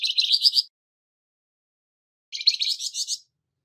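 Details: Two coarse, buzzy phrases of rapid pulsed notes from a harsh-voiced Flamboyan bird kept as a model for training songbirds, separated by under two seconds of silence.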